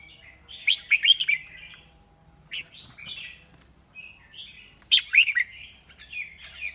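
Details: Red-whiskered bulbul, described as large, sings two loud bursts of rapid bright chirps separated by softer rising and falling warbled notes, with a constant faint high-pitched hum behind.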